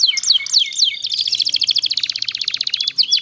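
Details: Canary tutor song for young canaries learning long trills: a few looping whistled notes, then a very fast continuous rolling trill lasting about two seconds.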